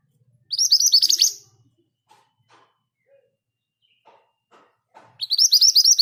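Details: Mountain scarlet minivet kept among other birds delivers fast rolling 'ngerol' song: bright rising whistles bunched into bursts about four seconds apart, with faint ticks and a soft low chirp in between.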